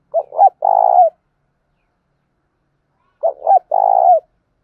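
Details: ['Spotted dove cooing to train trapping decoys. Two loud, clean phrases, about three seconds apart, each made of two clipped notes and a rolling, slightly falling coo. Silence lies between them.']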